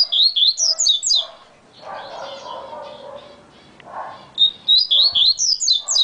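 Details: A fast-singing yellow-bellied seedeater gives two rapid runs of sharp, zigzagging whistles. A pause between them is filled with low, muffled background noise, and the song resumes at the end.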